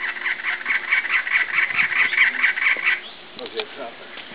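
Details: A male cactus wren at the Arizona-Sonora Desert Museum, right after the rains ended on 6 February 2010, gives its harsh, grating song: a fast three-second run of rasping chugs, then stops; faint background noise follows.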